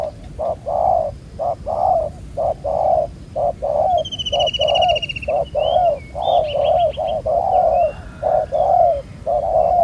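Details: Wild-caught spotted dove with a black-spotted collar, a good cooer, heard during ground-decoy trapping. Low mellow coos repeat about once a second in short-long pairs. A higher trilling bird joins midway.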